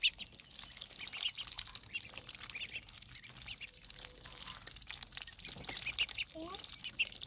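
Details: Ducklings being fed by a child, giving scattered high, thin chirps and peeps that come in quick bursts over a soft, noisy background, with a faint voice now and then.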